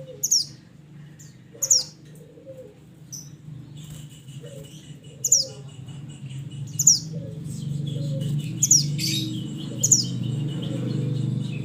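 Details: Mountain mantenan bird calling its companions: a series of piercing, high descending whistle notes repeated every one to two seconds, with faint softer chirps and a steady low hum behind.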